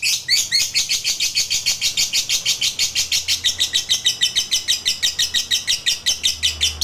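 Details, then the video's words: Lovebird in an extended, rival-provoking chatter: dense, shrill, rasping notes in quick succession, roughly three per second, continuing steadily throughout with a light low background hum. "Suara Lovebird ini Paling Bagus Buat Pancingan Lawan EMOSI Ngekek Panjang"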